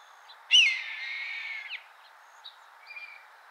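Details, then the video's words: Red-tailed hawk giving its loud, shrieking screech call: a single hoarse, raspy scream lasting over a second, sharp at the start then holding level and trailing off, with faint chirps afterwards. "Red-tailed Hawk Calls and Screech Sounds"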